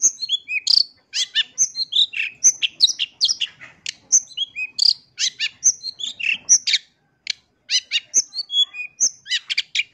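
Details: Long-tailed shrike in full lure song, used to stir other shrikes to sing back: dense, continuous stream of piercing chirps, rising and falling whistles and buzzy notes, barely breaking for breath.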